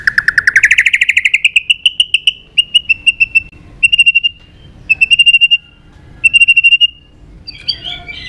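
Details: White-rumped shama fighting song in the tạch đập style for voice training: a pulsed whistled trill rises and settles into a steady tone, then is repeated in separate bursts roughly every second, ending with a scratchy note.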